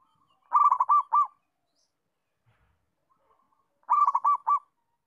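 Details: Local zebra dove used as a master recording to train young doves to call: two stuttering phrases of rapid, clipped, fluttering cooing notes, each about a second long and separated by a pause of roughly three seconds.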